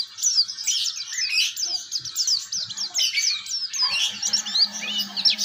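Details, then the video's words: A juvenile oriental white-eye rehearses its ngeriwik song, recorded as training material for other birds: hurried, squeaky, overlapping chirps with quick upward and downward slurs. A low steady hum appears toward the end. "pleci gacor belajar ngeriwik syahduuu"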